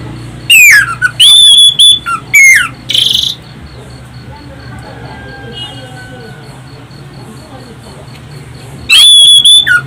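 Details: Lure song of an Orange-headed thrush, played to get other birds singing: loud, piercing whistled bursts with sweeping and sliding notes early on, a long quiet gap with faint background hum, then another shrill burst at the end.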